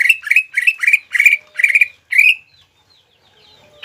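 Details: Caged Greater green leafbird delivering a rapid string of seven harsh, scratchy buzzy notes, each with a slight upward inflection, before falling quiet with a faint whistled trace afterward.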